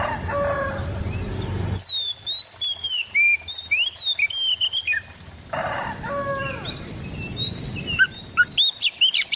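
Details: White-rumped shama in East Java, recorded on an Android phone: varied, rich whistled phrases with rising and falling slurs and sharp clicks, broken by bursts of broadband noise.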